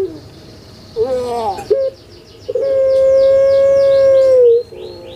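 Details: Collared dove known in Java as puter pelung, played to coax silent birds into calling. A short rough gurgle leads into one sustained, even hoot nearly two seconds long, while small birds chirp rapidly in the background.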